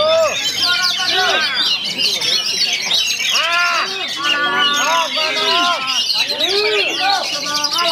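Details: Several Oriental magpie-robins sing at a songbird contest in a dense tangle of loud, rich whistles, arched slurs and harsh notes, with a faint voice underneath.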